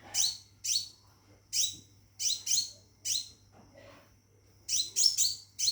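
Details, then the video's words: Scarlet minivet kept in a cage and calling a mate: loud, high, downward-slurred chirps, single or doubled, spaced by pauses of about a second, ending in a quick cluster of four notes. "Burung Seppah Raja Gacor Di Dalam Sangkar panggil betin kawin"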